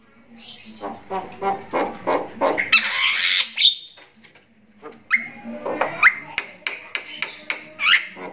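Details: Crystal-eyed Javan myna singing in the very strong, loud tribal style: harsh raspy bursts and squawks, then sharp rising whistled notes repeated about every second.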